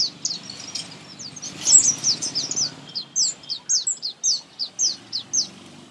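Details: Sunbird in a garden repeating thin, very high, slightly downslurred notes about twice a second, steadily and clearly, after a brief tangle of chirps and a harsher call near the start.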